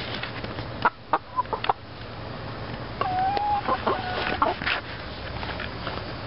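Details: Backyard flock of five young hens, Rhode Island Reds and Easter Eggers about 20 weeks old, one just starting to lay; sharp clicky clucks in a quick burst, then a drawn-out level whine and further irregular clucking over low hum.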